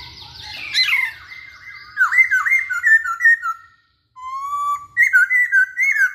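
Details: Masked laughingthrush singing vigorously to prompt song from other birds: a harsh descending burst, then a run of warbled, wavering whistles, a brief silence, a rising whistle and more looping whistled notes.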